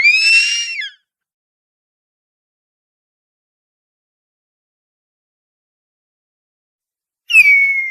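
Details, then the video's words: Harpy eagle heard in two fragments: a harsh nasal wail ending in a downward slur, a long silence, then a high falling whistled note. "Piado "Canto"da Harpia - Gavião Real"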